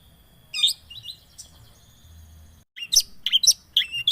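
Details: Long-tailed shrike lure recording for a bird that has stopped singing: a squeaky note and a thin sustained whistle, a short break, then a jumble of sharp, warbled high chirps.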